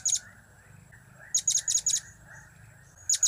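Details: High, sharp chips from a blue-crowned hanging parrot in cap, kiak and crap styles: a run of four quick notes in the middle, with short bursts at the start and end, over a faint low hum.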